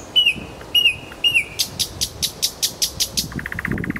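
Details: Singing nightingale in Kuzminsky forest park: three clear whistles with sharp up-flicks, then a loud rhythmic series of dry clicking notes, speeding into a softer rapid rattle at the end.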